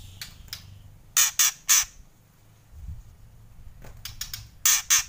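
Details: White-rumped shama rattling out kretekan calls: clusters of two to three harsh, crackling bursts separated by quiet gaps, with faint low background hum.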